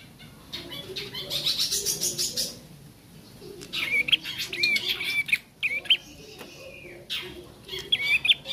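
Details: Bar-winged prinia fledgling learning to sing, opening with a dry buzzy rattle, then after a pause a string of short twisted whistles, a drawn-out flat note, and a final pair of chirps.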